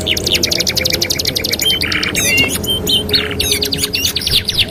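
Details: Canary master song for training: a run of fast repeated sharp sweeps, then short whistles, buzzy rolled bursts and twisting chirps, over low background noise.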